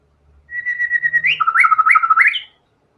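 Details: White-rumped shama singing vigorously, showing its full range of learned fill-in material: a sustained level whistle, then a run of rising and dipping liquid whistled phrases, clean and loud with no background noise.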